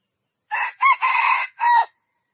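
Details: Single junglefowl crow in four parts: a harsh short opening, a quick rising-then-falling note, a long buzzy drawn-out middle, and a final note that slides downward, with quiet before and after.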